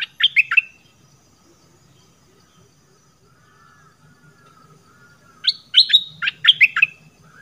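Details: Red-whiskered bulbul from southern Thailand used as a lure. A short burst of bright descending chirps comes first, then a long quiet gap with faint low rumble, then a lively string of sharp, slurred chirps.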